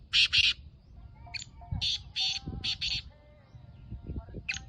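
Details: Black francolin, locally Kala Teetar, described as a Gangas or Sheedi nasal strain. Two loud harsh notes open, then a string of rasping, grating calls follows, over low rumbling noise and faint steady tonal sounds in the background.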